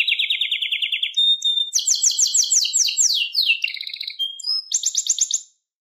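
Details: Atlantic canary (Serinus canaria) song: low rolling trill, a pure whistle, then loud high sweeping trills, quick chattering notes and a closing bright trill, with nothing else heard.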